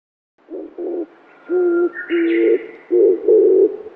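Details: Oriental turtle dove cooing in a forest, a common bird of parks and woods, its call low, thick and mournful: hollow hoo notes in paired phrases, later ones longer and deeper, with a thin whistle behind, thought to be a Japanese bush warbler.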